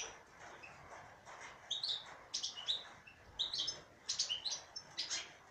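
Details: Female European goldfinch starting softly, then breaking into a rapid series of high, tinkling twitters and buzzy notes over a hissy background.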